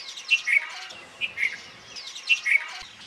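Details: Red-vented bulbul in Rajasthan, India, gives short, bright two-note chirps, high then slightly lower, repeated about once a second against a quiet background.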